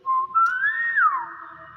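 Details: Clever kept hill myna whistling one long clean note indoors that climbs slowly, peaks, then slides down into a held lower tone.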